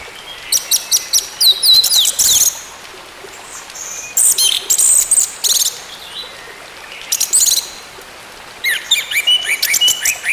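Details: Orange-headed thrush song meant to coax a quiet bird back into voice: repeated bursts of rapid, sweeping high notes and twitters, each lasting about a second, over soft background hiss.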